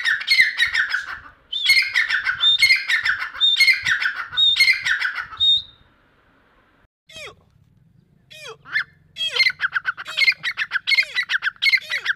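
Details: Grey francolin, known locally as Deccani teetar, calling in fast harsh, squeaky bursts of rapidly repeated notes for about five seconds, then a brief pause with thin down-slurred whistles, before the loud grating series starts again.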